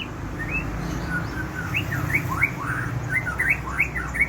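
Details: White-rumped shama singing steadily, a captive bird pouring out varied short rising and falling whistles that grow faster and busier toward the end, against a constant low hum.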